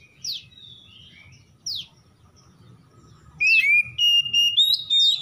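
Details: Oriental magpie-robin (kacer) dawn lure song for reviving stressed birds: a few sharp descending chips over a low rumble, then a loud stretch of bright, steady whistles and quick slurred notes.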